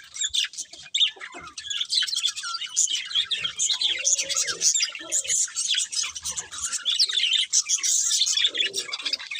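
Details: Pet budgerigars chirping: dense, fast warbling chatter of scratchy and whistled notes, continuous and busy, with brief lower squeaks mixed in.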